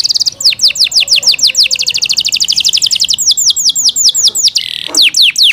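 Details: Yorkshire canary kept at home singing loud series of downward-sweeping high notes, speeding into a fast trill and slowing again, with a short harsh buzz near the end.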